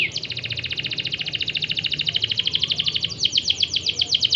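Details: Canary singing to encourage other canaries to sing, a long rapid trill of uniform chirping notes, about ten per second, steady for three seconds before quickening into sharper, more separated notes.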